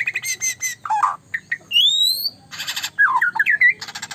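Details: White-rumped shama kept as a cage bird, very vocal, singing stacked repeated notes, rough squawks, a long upslurred whistle and quick looping phrases.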